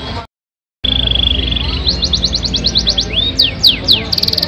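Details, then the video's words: Yorkshire canary singing a long-duration song: a steady trill near the start, then a quick run of bright rising notes and steep downward sweeps, after a brief silent gap, over a low background hum. "Kenari YORKSHIRE DURASI PANJANG ISIAN MEWAH"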